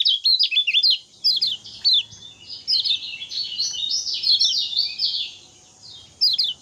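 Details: Common iora, locally kecial kuning, in ngejos song on 6 December 2024; quick high twittering phrases with short gaps, some notes blurring into a thinner, buzzy stretch, faint low background hum beneath.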